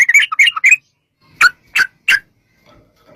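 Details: Sooty-headed bulbul, played as a lure to make bulbuls sing: a quick flurry of warbled notes followed by three spaced, loud, sharp calls.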